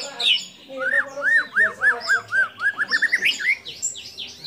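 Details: A white-rumped shama sings a song stuffed with sooty-headed bulbul, cililin, lovebird and canary imitations: a string of arched, ringing notes repeated quickly, then rising into higher, faster chips.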